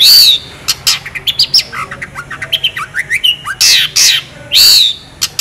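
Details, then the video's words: Long-tailed shrike in full voice, packed with mimicked fills and sharp, long, clear shooting notes: loud harsh squawks open and recur, with rapid varied twitters, slurred upward and downward whistles and chattering phrases between them. "CENDET GACOR FULL ISIAN ASLI SULTAN LAGU MEWAH TEMBAKAN TAJAM PANJANG JERNIH"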